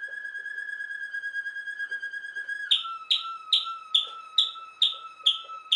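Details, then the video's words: Waterslager canary, also called Malinois canary, singing: a long, steady, low whistled tone held for nearly three seconds, then a slightly lower sustained tone broken by sharp, bright clicking notes repeated about every half second. "Waterslager canary singing Malinois canary"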